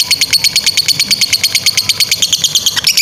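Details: Short stretch of a lovebird's long chattering song, used as a master for young birds: rapid, regular train of piercing high chips, steady at first, then breaking into scratchier notes at the end.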